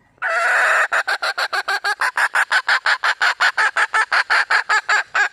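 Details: Red junglefowl calling for a mate: a longer harsh opening note, then a rapid, steady run of about twenty loud clipped clucks over five seconds, with no other sounds.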